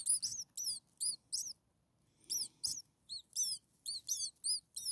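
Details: Six hungry common starling nestlings a few days old in a nest, begging: high, thin arched chirps in quick bursts of two or three, with a brief quiet gap midway, then renewed rapid chirping.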